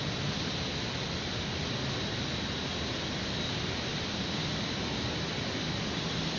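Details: Dense, roaring broadband noise like wind or traffic covers everything, with no calls standing out.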